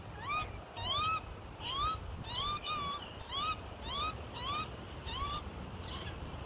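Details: Fledgling Australian magpie in Melbourne, 2020, second day after leaving the nest, fed by mother and father; a steady series of about eight rasping upslurred calls in six seconds, each rich and buzzy, over quiet background.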